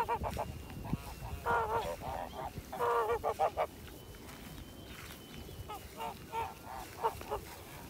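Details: White Kholmogory gander hatched in 2017, kept on a farm for ancient and purebred breeds, recorded 7 September 2019: loud nasal honks in bursts, some in quick doubled runs near the middle, then softer, spaced honks over a steady low rumble.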